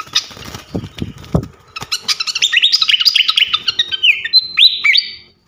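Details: Masteran training recording for champion songbirds featuring a flycatcher: after some low thumping and scattered notes, a fast stream of sharp high chirps, closing with clear whistled notes that slide downward.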